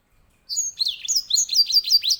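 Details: Loud song of a grey singing finch: after brief silence, a quick string of bright, high whistled notes, each sweeping down then flicking up, delivered in a lively even rhythm.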